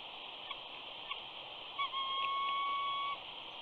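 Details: At Big Bear on 14 April 2019, a female eagle at the nest whines as her mate arrives for the morning changeover while an egg hatches. One long, steady whistled whine follows two short chirps, over constant background hiss.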